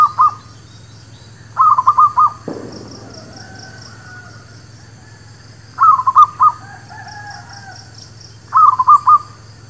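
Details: Zebra dove lure song used for trapping birds: short bursts of three to four quick, mellow cooing notes, repeated at irregular intervals of a few seconds, with a soft thump and faint background chirps.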